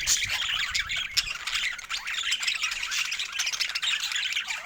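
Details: Budgerigars chirping with joy over fresh food: a dense, continuous chatter of high squawks, twitters and warbles from several birds, with no breaks and no other clear sounds.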